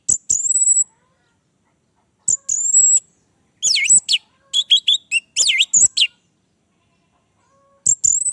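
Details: Orange-headed thrush, played to prompt silent captive birds to sing: thin, very high whistled phrases, then a rapid jumble of swooping, varied notes, separated by pauses of a second or two.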